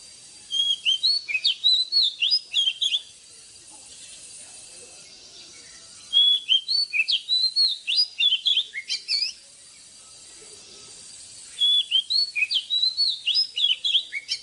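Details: Oriental magpie-robin, described as an old forest bird, singing at dawn for caged-bird training: three bursts of sweet, varied whistled phrases about three seconds long, separated by quiet pauses of roughly three seconds.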